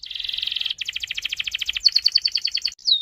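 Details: Canary in full song with a long roll, used to prompt other canaries to sing: fast buzzy trill, then a run of rapidly repeated notes, shifting into sharper whistled notes and ending on a falling whistle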